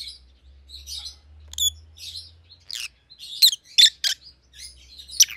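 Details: Rosy-faced lovebirds of white-headed opaline mutations, pallid and green, twittering in a row of sharp chirps and squeaks that grow louder toward the end, over a faint low hum.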